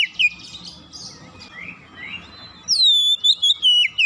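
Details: Oriental magpie-robin (kacer) in fast 'gacor' song, played as a lure for a silent bird: soft scattered slurred notes, then a loud clear whistle descending in steps, broken into rapid short bursts.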